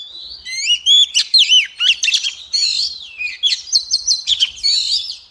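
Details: Female Oriental magpie-robin sings a rapid, varied run of sweet whistles, slurred notes and sharp chips with almost no pause, high and bright throughout.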